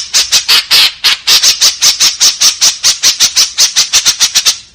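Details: A continuous chain of rasping, scratchy calls from a white-breasted woodswallow, 'tembakan kasar' style, delivered at a steady quick pace of several notes per second without a break.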